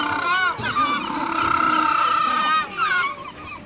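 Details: African penguin (Spheniscus demersus) giving a loud, harsh, donkey-like bray of stacked nasal tones that waver and rise, sustained for about two seconds before a short break and a final wheezy burst.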